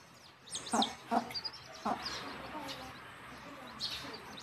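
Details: Mother hen leading her chicks back to the nest to roost; a few low, short clucks early on, with thin high peeping from the chicks above and light background hiss.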